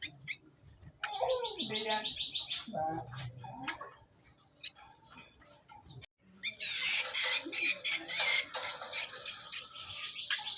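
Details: Hand-fed greater green leafbird song for use as training master: a quick high trill, a low gurgle, a pause, then a dense busy chatter of mixed warbling notes over faint background hiss.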